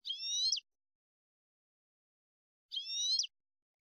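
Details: European goldfinch singing clean Malagueño-style song for training captive goldfinches: two identical bright, tinkling high phrases, about half a second each, spaced nearly three seconds apart over silence.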